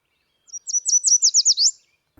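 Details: Yellow Warbler, a spring migrant of lilac bushes and leafy trees in southeast Saskatchewan and southwest Manitoba, sings a quick, high run of about eight bright, slurred whistled notes ending in an upswept flourish, then a faint low thump.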